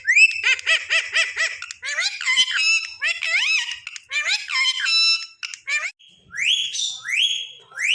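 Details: Tame pet Indian ringneck parakeet calling noisily for its owner to come and sit with it; loud harmonic, warbling whistle-like notes in quick bursts, then several sharp rising sweeps near the end, indoors.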